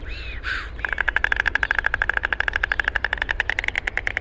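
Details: White stork (Ciconia ciconia), bill clattering.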